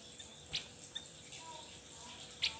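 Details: Javan white-eye (Opior Jawa) giving two sharp, very high chip notes about two seconds apart, with faint thin whistles between them, over a steady buzz of insects and hiss.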